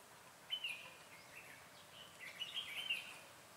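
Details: Red-whiskered bulbul used as a decoy during trapping on 14 July 2017, giving short bright chirpy phrases near the start and a longer warbled run later, faint over steady background hiss.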